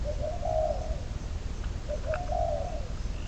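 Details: Trapping decoy spotted dove numbered 22 delivering two drawn-out cooing phrases, each opening with a short note and swelling into a long level coo, over persistent low rumble and faint distant bird chirps.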